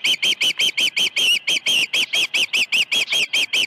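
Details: Osprey at Dunrovin Ranch on 21 August 2019, on a morning with two fish brought at 7:05 and 7:31 AM: a rapid run of sharp, high whistled chirps, about sixteen evenly paced notes in under four seconds, with no other sounds.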